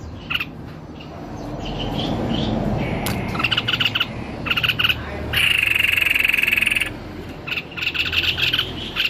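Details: Lively white-necked babbler song: scattered chirped notes, then rapid note clusters and a sustained buzzy trill, over broadband background noise.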